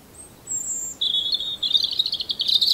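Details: Robin singing: thin high whistled notes, then a lower sustained whistle that breaks into a rapid, glittering high trill rising in intensity toward the end.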